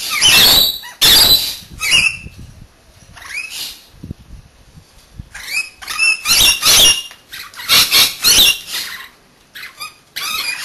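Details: Rainbow Lorikeets, a pair kept as pets, bathing by turns; loud, grating screeches in uneven bursts with short gaps, alongside splashes and rustling.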